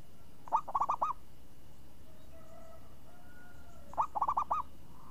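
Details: Champion perkutut, or zebra dove, singing in the crisp 'renyah ngayun' style: two phrases of rapid rolling coos, each opened by a short accented note, roughly three and a half seconds apart, with faint drawn-out tones in between.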